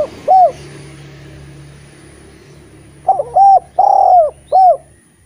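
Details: Chatty collared dove repeating its coo to goad shy spotted doves into song: a lone coo at the start, then after a gap a full phrase of short, long and short notes, soft room hiss behind.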